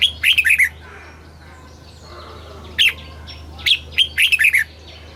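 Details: Red-whiskered bulbul kept in a cage, singing southern master-style song meant to stimulate birds and tutor young birds. A quick run of ringing, slurred notes opens, a lone chirp follows, then another rapid five-note phrase.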